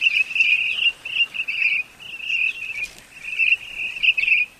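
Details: Common starling singing a dense, chattering run of rapid buzzy bursts in short phrases with brief pauses between them, bright and scratchy throughout, with no other sounds.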